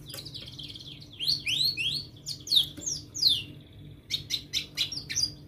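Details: Canary song for tutoring young canaries, quieter and over a low background hum: scattered rising and falling sweeps, chirps and short trills.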